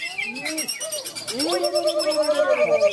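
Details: Caged greater green leafbird (cucak ijo) singing at a bird-song contest in Malinau, North Kalimantan, Indonesia: slurred whistles rising and falling between low and mid pitch, then a long steady whistle, with other birds' faint high notes behind.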